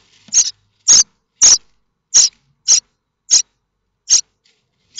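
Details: Common starling nestlings at Théding, France, in May 2024, begging while they wait for a parent to deliver food: nine loud, dry, rasping bursts, roughly two a second, spaced unevenly.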